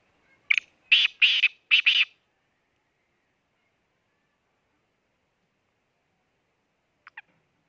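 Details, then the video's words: Black francolin calling: one short clipped note, then three harsh, buzzy notes in rapid sequence. A long silence follows, ending in a faint brief double note. "kala teeter ki mast awaz black teeter vice"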